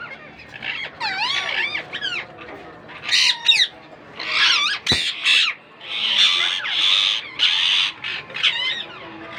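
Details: Indian ringneck parakeet chicks just hatched to a young first-time breeding pair: bursts of scratchy, warbling squeals and chirps with short pauses between, and a sharp click near the middle.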